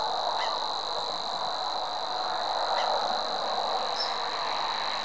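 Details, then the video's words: Savi's warbler delivering a long, flat, buzzing reel that never varies in pitch. A few brief chirps and a dense, rushing background chorus are also audible. "Nádi tücsökmadár"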